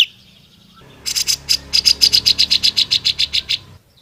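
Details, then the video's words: Grey-cheeked bulbul singing vigorously for songbird training: a steady run of sharp, bright high notes repeated about four times a second for nearly three seconds. "CUCAK JENGGOT GACOR SUPER PEDAS"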